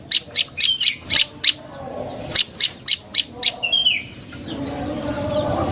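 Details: Prinia (prenjak lumut) song for luring birds: quick series of high, sharp chips at a rapid steady pace, broken by a brief pause and a soft slurred whistle, with faint background hiss toward the end.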